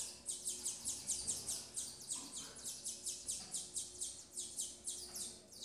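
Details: Double-collared seedeater female caring for her chicks in captivity; high, sweeping chirps repeat evenly about four times a second throughout, with faint low background hum.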